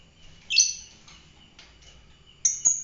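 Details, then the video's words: Lovebird of the fighter type uttering a sharp, screechy chirp, a pause with faint rustles, then a second piercing double note, over a faint constant high tone. "fighter lovebird"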